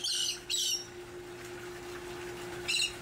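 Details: Elegant Tern calls from a large nesting colony on two barges in Long Beach Harbor, August 13, 2021, during a rescue and monitoring operation: a few harsh, high squawks, then a quiet gap and one more squawk over a steady low hum.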